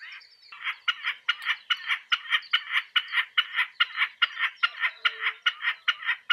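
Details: Common snipe singing in spring: a steady, rapid series of harsh, rhythmic chipping notes, about two to three per second and evenly spaced, continuing without pause after a brief quieter start.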